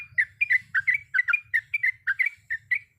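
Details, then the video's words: Sooty-headed bulbul, a female calling the male, giving a long rolling song filled with varied sounds: about a dozen short bubbly, liquid notes in quick pairs, evenly spaced through three seconds, with a faint low hum beneath. "Trucukan gacor ropel panjang full isian berbagai macam suara"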